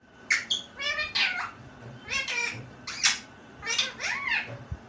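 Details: Pet parrot talking indoors, imitating a phrase meaning "mummy, get up": a string of harsh, nasal, harmonic word-like bursts in quick groups, with short pauses between the phrases and a quiet room behind.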